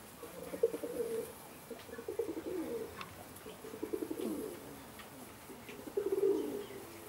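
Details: Indian Fantail fancy pigeons, a domestic pigeon breed, in Alkmaar, Holland: a series of low, bubbling coos in uneven bursts, with a louder rolling coo near the end.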